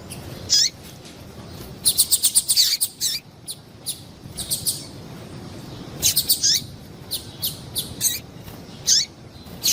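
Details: A female double-collared seedeater calls to make males excited: clustered runs of very high chirps alternating with single downward-sweeping notes, repeated in several bursts with short gaps.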